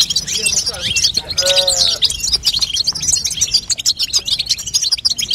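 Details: Babtaba call of a female European goldfinch, used to encourage a goldfinch chick to sing: continuous bright, high twittering, with a short lower, tonal wavering sound about one and a half seconds in.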